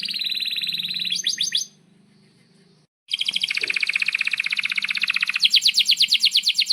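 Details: Canary in breeding condition singing long rolls, played to teach young canaries: a buzzy trill and quick sweeps, a short quiet gap, then a long loud rolling trill that shifts to a higher, faster roll.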